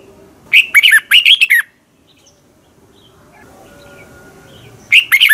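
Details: Red-whiskered bulbul from Thailand, song for voice training: one lively phrase of quick chirpy whistles with a downward slur at the end, a quiet spell, then the start of the next phrase.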